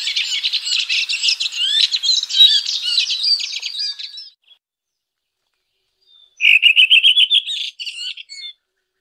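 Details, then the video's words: A red-throated thrush sings a long, scratchy, jumbled warble for about four seconds, falls silent, then gives a quick, even series of ringing repeated notes that ends in a few higher slurred calls. "Red Thrush Singing.(Turdus ruficollis)."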